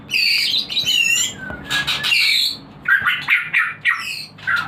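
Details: Captive white-rumped shama, played to stimulate breeding, giving a rich varied song of loud whistled phrases and harsh buzzy notes, with short pauses between bursts and quick rising and falling slurs.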